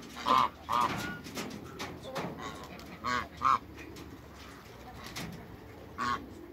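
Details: Two big African geese in a backyard with other waterbirds honk loudly, with paired blasts early on, another pair around the middle and a single honk near the end, against fainter bird chatter.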